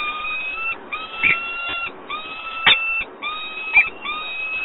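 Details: Nest invitation from a male peregrine falcon at Włocławek on 28 February 2022, ignored by the female: long, level, nasal wailing notes about a second each, repeated with short breaks and a few clicks.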